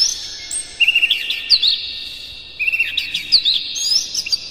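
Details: Lively Oriental magpie-robin song stuffed with imitated phrases, played to rouse other magpie-robins: sharp high whistles and rapid chirps in two clustered bursts, over a constant high, thin background.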